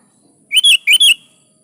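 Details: Lively sooty-headed bulbul song, played to get caged birds singing: one brief phrase of four rich, slurred, bubbling notes in two rapid pairs.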